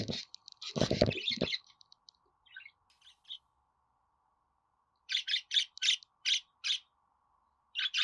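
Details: Pet budgerigar calls for home birds to answer: a loud rough burst with low thumping, quiet gap, then a rapid even series of short buzzy chirps.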